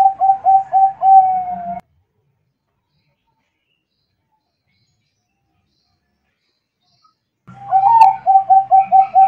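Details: Zebra dove (perkutut bangkok) song cut into two fragments: the tail of a rolling coo series with a long final note, a long silence, then a new run of quick repeated coos.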